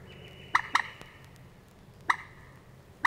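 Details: Moorhen in Matsalu reed beds, USSR, 1979 field recording: a quick pair of hard, sharp notes, a pause, then single clipped notes, over low hiss.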